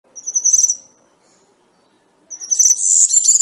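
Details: European serin singing in the wild 'campero' style used to train young serins: two bursts of very high, thin, jingling twitters, a short phrase then a longer dense buzzy trill after a pause.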